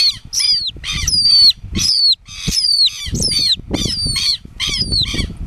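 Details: Held southern lapwing chick, caught by hand and later set free, gives loud high-pitched peeps that slur downward, in short clustered bursts with gaps, over dull handling and rustling noise.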